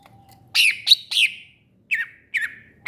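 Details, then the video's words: Greater green leafbird giving three loud harsh chirps in quick succession after a thin low whistle, then shorter slurred notes. "Burung Cucak Ijo"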